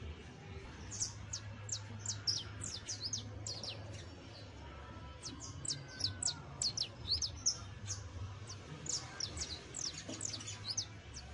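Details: Fledgling saffron finch practising early songs, thin high chirps in loose bursts separated by pauses, set against a steady low hum.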